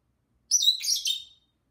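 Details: A pet lovebird, one of two kept together and singing: a single rapid, warbling chatter of high squeaky notes lasting under a second, otherwise silence.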